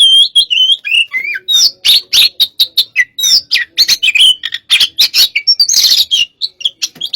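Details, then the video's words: White-rumped shama, hot type, fighting in a pacingan bout: continuous, hurried song of sharp whistles, harsh buzzy notes and clicks, packed tightly with scarcely a pause. "pacingan burung Kacer tipe panas"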